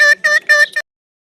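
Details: An Indian ringneck (rose-ringed) parakeet talks in a high, nasal, buzzy voice, apparently saying 'mitthu, mammi': three quick word-like syllables and a clipped fourth, all within a second.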